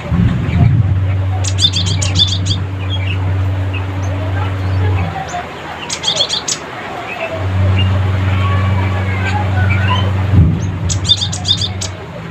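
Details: Cinereous tit calling rivals in three separate bursts of fast, high, stuttering notes spaced several seconds apart, while a deep droning hum rises and fades in the background.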